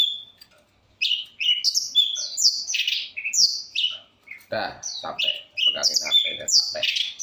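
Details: Long-tailed shrike in vigorous varied song: quick high chips and whistled phrases in close succession, with lower, harsher rasping notes mixed in during the second half.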